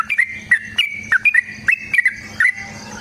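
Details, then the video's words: Yellow-vented bulbul fighting song, played to make other bulbuls sing: lively bubbly notes, often in pairs, about three per second, bright and slightly rising. "Suara Trucukan GACOR Tarung Ropel Panjang Pancingan TRUCUKAN Agar Bunyi Jadikan Burung TRUCUK Gacor"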